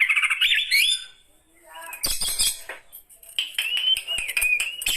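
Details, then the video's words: An aged Oriental magpie-robin opens with a warbling whistled phrase, falls quiet, then gives scratchy chatter and a thin, quavering whistled trill. "Kicauan Burung Kacer Tua Lanjut Usia"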